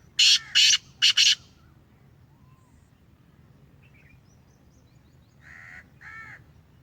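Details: Black francolin of the Sheedi line, captive and home-bred: four loud scratchy bursts in two pairs open the sequence, then quiet background with two nasal, tonal notes from another bird near the end.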